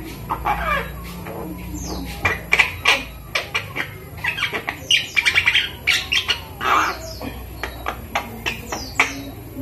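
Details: A captive, hand-reared five-month-old Javan myna that is learning to speak gives a rapid run of harsh squawks, clicks and short chattering bursts, with a few quick rising whistled notes between them, at close range indoors.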